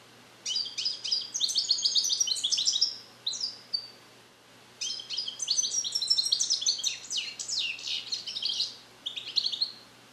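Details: Captive-bred European goldfinch, a male hatched in 2021 and trained in Neapolitan song passages, singing alone in a carrier: two long bursts of rapid, tinkling high twitters and buzzy trills, the second starting near five seconds.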